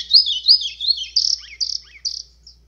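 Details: A White-throated Seedeater sings an azulão-style song with call, used to fire up other birds: quick warbled, rising notes, then four buzzy trilled blocks about half a second apart.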